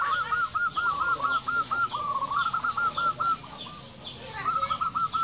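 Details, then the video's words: Zebra dove (local perkutut) in energetic 'nembak' song: a near-continuous stream of quick, bubbling coo notes in short rolling bursts. It pauses briefly midway, then resumes with another trilled run. "Perkutut lokal gacor Suara Nembak"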